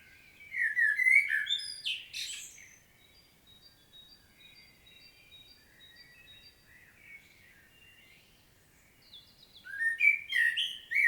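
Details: Field recording from Świnoujście, Poland, 25 September 2022, of a common blackbird's detailed solo: mellow warbling phrases open and close the stretch, with faint, thin, high repeated notes in the quiet gap between them.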